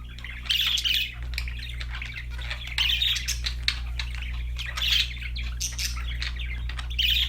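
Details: Budgies sing in a busy, irregular stream of scratchy chirps and warbles, with louder flurries roughly every two seconds, set against a constant low mains hum.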